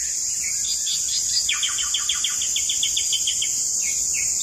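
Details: Asian pied starling in full voice as a lure to set other birds singing: a run of rapid, harsh downward-sweeping notes repeated about twice a second, over a constant high insect-like hiss.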